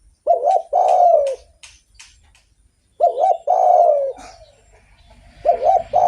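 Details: Actively singing spotted dove, kept as a lure to stimulate other doves, gives low mellow coos: a quick wavering lead-in followed by a drawn-out falling note, repeated about every three seconds, with faint clicks and ticks between phrases.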